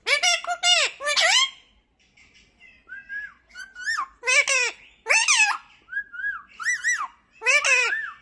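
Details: Indoor talking parrot mixing clipped speech-like syllables with short whistled notes that glide downward, delivered in uneven bursts.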